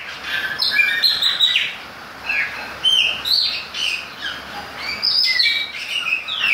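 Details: In the rain, a Chopi blackbird keeps up a rich, varied song of clear whistles, quick slurred notes and short chattering bursts, phrases following one another almost without a break.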